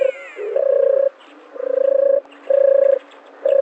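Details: Dove giving low, hollow cooing notes, each about half a second long and held on one steady pitch. They repeat roughly once a second in a slightly uneven rhythm, with a brief rising squeal near the start.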